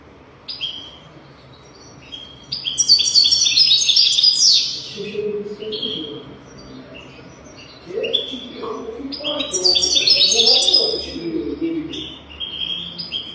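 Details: European goldfinch singing as a teaching recording for young goldfinches: runs of high twitters building into two loud, rapid, buzzy trilled bursts, with some softer lower sounds underneath.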